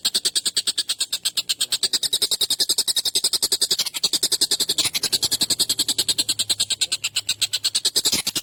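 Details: Collared kingfisher, calling intensely for songbird training, gives a continuous rattle of harsh, piercing notes in quick regular succession, with slight dips in loudness near the fourth and fifth seconds.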